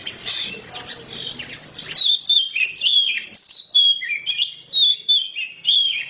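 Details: Oriental magpie-robin singing loudly in the open 'ngeplong' style: after a burst of scratchy noise, a run of clear high whistled phrases, each sliding and wavering, separated by brief pauses.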